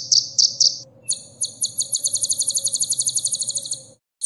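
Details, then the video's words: Olive-backed sunbird, known locally as kolibri ninja, in a recording for teaching caged birds: three high chirps, a pause, then a fast buzzy trill of rapid notes lasting over two seconds over a low hum. "suara isian burung kolibri"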